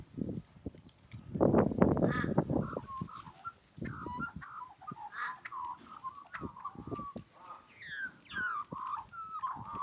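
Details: Singing Australian magpie giving a melodious call. It opens with a burst of harsh, rough low notes, then breaks into a rich, fast warble of varied fluting and chortling notes, some climbing higher, repeated for several seconds.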